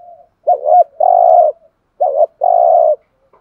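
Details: A spotted dove, a decoy bird, gives low, hollow coos: a short bent note and then a longer steady one, the pair repeated twice in about three seconds.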